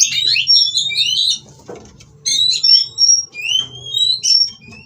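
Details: Captive white-rumped shama singing while mating to provoke rivals; bursts of sweet whistles and warbled notes, a gap with a faint knock, then separate long clear whistles and slurred phrases over a low hum.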